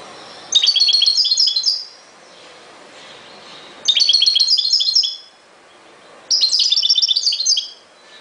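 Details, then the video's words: Singing European goldfinch delivering three loud, fast phrases of high, tinkling twitters and liquid trills, each about a second long, with short quiet gaps between them. "chant de chardonneret"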